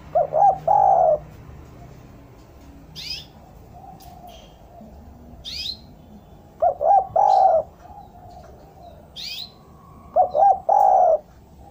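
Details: Spotted dove song used as bait to bring doves down: three evenly spaced phrases about three and a half seconds apart, each quick paired coos then a long mellow coo, with high chirping birds in between.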